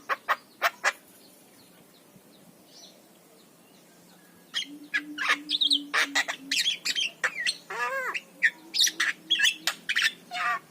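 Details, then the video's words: Javan myna singing, a master recording for coaxing quiet mynas to sing: a few sharp clicks, a pause, then a burst of rapid clicks, harsh squawks and rising, bending whistles over a low hum. "ORIGINAL SUARA JALAK KEBO"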